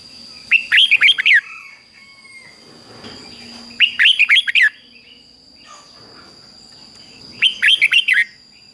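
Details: Caged red-whiskered bulbul repeating its doubled 'beun' song, played daily so young birds copy it: three bursts of five or six ringing whistled notes about three seconds apart, with soft chatter and a steady high whine.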